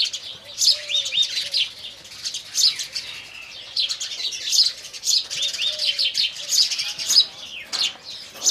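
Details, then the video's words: Indian house sparrows chirping in the morning: bursts of bright, rapid tweets recur roughly every two seconds, rising and falling in loudness, with a soft low drawn-out note in the background at times. "indian house sparrow birds"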